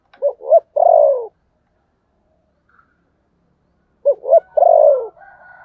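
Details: Spotted dove coo: two quick rounded notes then a long downward-sliding burry coo, repeated after about three seconds of silence, with a faint higher bird whistle at the end.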